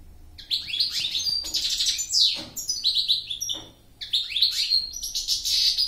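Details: Loud, clear goldfinch song: strings of rapid, rising and falling chirps and buzzy trills in several close bursts, with one brief pause.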